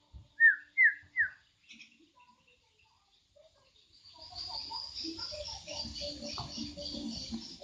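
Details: Javan myna: three clear down-slurred whistles in quick succession, then a quieter stretch of faint chatter and background hiss.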